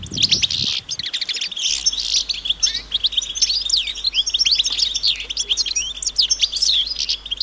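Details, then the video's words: Group of European goldfinches outdoors giving mating and readiness calls to rouse silent males; a continuous high, liquid twittering of rapid chirps and slurred notes, with a brief low thump at the start. "بتبتة جماعية رهيبة للحسون وسط الطبيعة"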